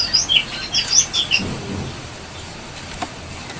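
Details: Brown-throated sunbird singing as a lure for training other birds: a quick burst of high, thin, chirping notes that jump up and down for about a second and a half, then near silence.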